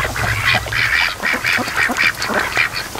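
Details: Raised ducks, day 92, lounge by a lake in the afternoon. One nasal, mid-pitched call repeats about twice a second, evenly spaced, over faint low background rumble.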